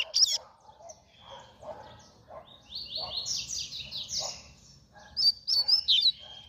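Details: Double-collared seedeater singing in the fast coleiro style: sharp high whistled notes open and close the passage, with a run of buzzy descending slurred notes in the middle and soft lower chirps between.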